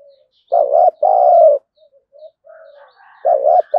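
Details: Spotted dove used as a lure to provoke wild birds to fight: a loud short-then-long coo, quiet murmuring notes, then another coo beginning as a faint higher call sounds behind.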